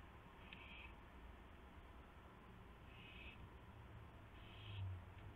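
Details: Owl calling at its nest around 1:00 AM, 24 March 2016, during a gopher delivery: three short, harsh hissing bursts a few seconds apart, set against constant low electrical hum and background noise.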